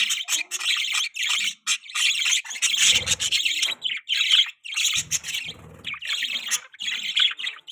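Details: Pet budgerigars in mating chatter: continuous raspy warbling and squeaky chirps in overlapping bursts, with occasional low thumps or handling noise.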